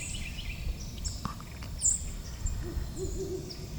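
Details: A male and female Great Horned Owl call together from a tree at Bois D'Arc WMA near Hope, Arkansas, 19 November 2025. Deep, drawn-out hoots arrive in the second half, with small birds twittering faintly overhead.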